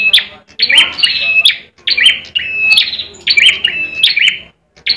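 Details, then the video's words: Fighting song of a competition-kept bar-winged prinia in Indonesia: harsh chirpy phrases with a thin whistled tone, about four bursts separated by brief silences. "ciblek merah tarung"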